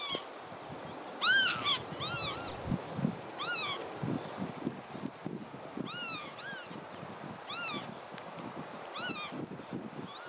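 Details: Marsh sandpiper calling: short arched, down-slurred whistled notes rich in overtones, given singly or in quick pairs every one to two seconds, over a steady low rumble of background noise.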